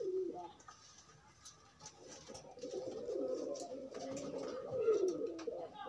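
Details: Courtship cooing from loose, unconfined pigeons pairing up: soft murmured coos, faint at first, then a longer, fuller rolling coo in the second half over low background hiss.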